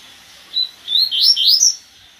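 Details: A "gasparzinho" colour-mutation double-collared seedeater sings a brief high phrase: a thin opening note, then a quick run of buzzy, rising slurred notes lasting about a second, over a quiet background.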